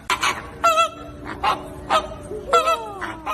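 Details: Flamingo giving scattered nasal honks mixed with harsher grunts. Two calls slide downward in pitch, with gaps between the separate notes.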